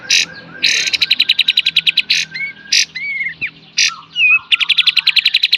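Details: Cage-bird training master song from a kapas tembak in beset and tembak style: harsh noisy bursts alternate with rapid rattling chip series and brief slurred whistles.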